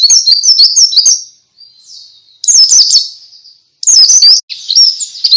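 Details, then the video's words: Ngalas-style white-eye song, played to get other white-eyes and stalled singers to answer: bright, high, fast twittering phrases with trilled, warbling runs, delivered in four bursts with brief gaps and a soft faint chirp between. "Suara Pleci Ngalas"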